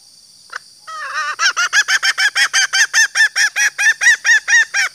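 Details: Female green junglefowl call used to draw out males: after a lone note, a fast run of loud clucking notes repeats about twice a second, evenly spaced, over a constant high-pitched background hiss.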